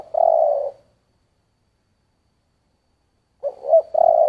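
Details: Spotted dove, 'giọng thổ' singing style: a sustained coo, then a long pause, then the stuttered start of the next phrase rolling into another drawn-out coo.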